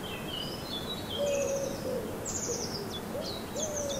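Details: Morning birdsong in a German garden under the sun: quick high whistled notes and sharp downward sweeps, with a few lower steady whistles underneath, against soft constant noise.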